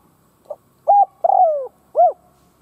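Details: One complete cooing phrase from a spotted dove kept as a decoy to provoke wild doves: a faint soft note, a steady coo, a long drawn-out falling coo, then a short arched coo.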